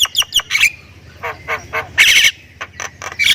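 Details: Javan myna, a Thailand jalak kebo described as gacor with full isian, singing: rapid squeaky chirps, then harsh buzzy bursts and scratchy rasps separated by short gaps, with a faint low hum beneath.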